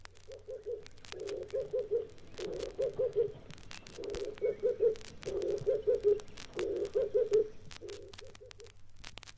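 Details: Red-eyed dove (Streptopelia semitorquata) in East Africa gives low, hoarse cooing phrases of four to six quick notes, repeated about every second and a half, over faint crackling noise; another call of this species.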